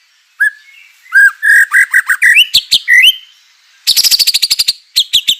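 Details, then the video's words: White-rumped shama singing as a lure for other shamas. Low whistles open into a run of repeated whistled notes, then sharp notes, a pause, and a rapid high rattle with a few final chips. "murai batu gacor AMPUH UNTUK pancingan murai batu agar emosi"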